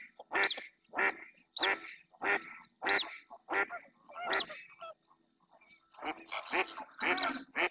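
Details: A female mallard calls insistently in the Doñana National Park marsh, Spain, with a loud run of harsh nasal quacks, pauses, then resumes busier and overlapping as another female and a pair of males approach her.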